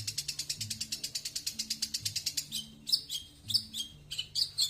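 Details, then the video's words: Long-tailed shrike, 'tembakan slow' song style: rapid, even volley of about six clipped high notes per second, breaking into harsher rasping, warbled phrases, with a low droning background. "tembakan slow maen aman"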